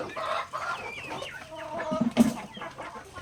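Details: Backyard native chickens feeding on grains utter soft, wavering harmonic clucks and low murmuring notes, with a sharp tap near the middle as birds peck among the scattered food.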